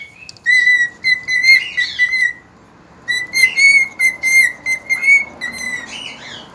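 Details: At dawn on 3 September 2019, a cockatiel whistles long, steady tonal phrases broken into short notes, pausing briefly midway and then resuming with a similar run of bright, slightly wavering whistles.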